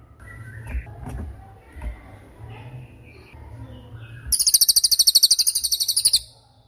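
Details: Cililin bird in a masteran recording for tutoring songbirds: faint chirps and low rumble give way to a strong, rapid, high trill of evenly spaced notes lasting about two seconds.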